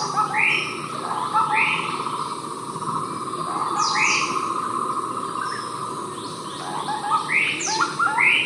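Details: Javan scimitar babbler (Pomatorhinus montanus) near Kawah Ijen, East Java, giving short, arched, mid-pitched notes every second or few, over a steady insect drone and thin high whistles from other birds.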